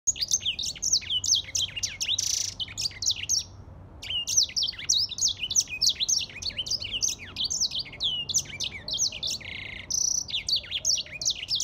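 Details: Grey singing finch song: a long run of rapid, sweet warbled notes, jumping and sliding in pitch, with a brief pause near the four-second mark and a short hissing burst early on.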